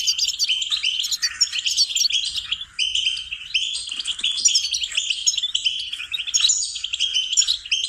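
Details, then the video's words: Goldfinch song for teaching songbirds: long unbroken stream of fast, high twittering, tinkling trills and liquid chirps, energetic and varied, with only a brief dip in volume partway through. "Training and cultivating melodies singing lessons for goldfinches"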